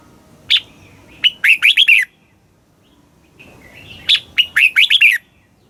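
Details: Red-whiskered bulbul song from Thailand, southern master-style phrasing played to excite caged birds and teach young ones: two bursts of bright, warbled whistled notes, a sharp opening note followed by four or five quick rolling syllables, separated by a short pause.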